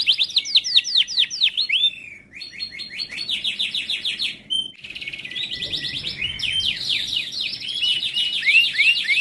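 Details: Timbrado canary singing a training song, with bursts of sharp descending notes and rapid rolling trills broken by short pauses, then a long dense trill and a few upward-curving whistles at the close.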